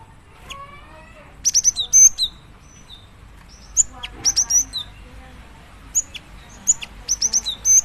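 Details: Cinereous tit, a female calling for a male, giving repeated groups of high, thin, sharp chip notes with short descending slurs, bursts coming every second or so over a faint rustling background.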